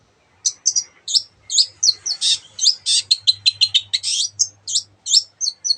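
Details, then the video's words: Long-tailed shrike in full voice, weaving many other birds' sounds into its song: quick high chirps and doubled squeaks, a dense scratchy stretch midway, and a faint low hum underneath. "cendet gacor masteran untuk burung yang susah bunyi banyak varian suara burung lainya"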